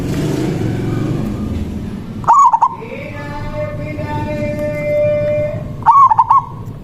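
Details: Local zebra dove singing its manggung song to call a rival, used for luring: two brief staccato coo bursts about three and a half seconds apart over a loud low rumble, with a steady tonal hum between them.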